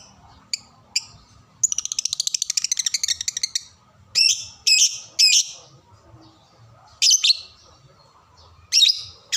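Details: Lovebird sound used as a training master for young birds learning to sing: sharp shrill chirps, a fast buzzy rattling series lasting about two seconds, then loud harsh squeaky bursts spaced a second or two apart over faint low background hum.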